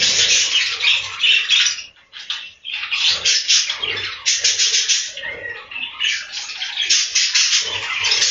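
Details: Budgerigars in a breeding room giving rapid bursts of scratchy chirps and squawks, the chatter broken by short lulls, with a few soft low thumps in the background.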